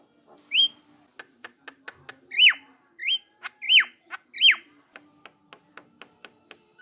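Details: Javan myna in lively song, used as a lure to make mynas answer: loud downslurred whistles alternating with short dry clicks, about 87 notes a minute, over a faint steady hum.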